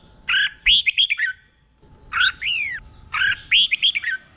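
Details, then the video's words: Caged red-whiskered bulbul used as a tutor for training other birds, singing doubled phrases in three short bursts of loud, slurred whistles with rising and falling sweeps. "เสียงนกกรงหัวจุก | สุดยอดนกครู เบิ้ลชัดๆ เบิ้ลเป็นคู่ๆ"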